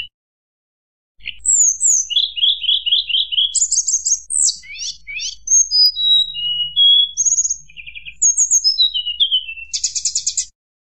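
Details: Rival-provoking fluting song by a hill blue flycatcher, starting after a pause: a fast series of repeated chirped notes, rattling trills, steep downward sweeps and bright whistles, ending with a buzzy burst.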